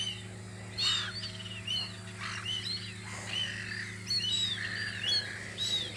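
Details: Gulls on Audru polder during spring utter scattered, clipped, curving calls that build into a busier overlapping chatter toward the end, with a continuous low drone in the background.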